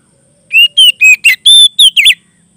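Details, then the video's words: Oriental magpie-robin (kacer) singing loudly in the lively, clear 'gacor ngeplong' style to call a rival: seven rapid, loud whistled notes, some rising and some falling, ending in a brief twisting flourish, over a quiet background. "suara burung kacer gacor ngeplong memanggil lawan"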